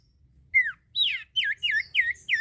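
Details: Common iora singing steadily, played to spur other birds to sing: a downslurred whistle followed by a high sweep and four bouncy, dipping whistled notes close together.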